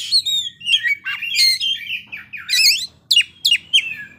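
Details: Kacer, the Oriental magpie-robin, in full isian-rich song: bright whistled phrases, downward slurs and sharp rising chirps that change every fraction of a second, over a soft low background hum.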